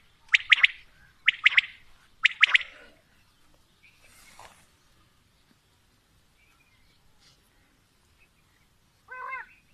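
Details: Quail calling: three quick sharp triple-note phrases at the start, then near silence with faint rustling and a short harmonic squeak at the end.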